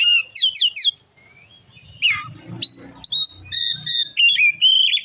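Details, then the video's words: Oriental magpie-robin (kacer) song aimed at provoking other magpie-robins: quick slurred whistle triplets, a short pause, then loud sharp notes and steady repeated whistled phrases, with low background noise. "Suara Kacer Gacor Ngeplong Ampuh Memancing Emosi Kacer Lain - Pancingan Kacer Bahan"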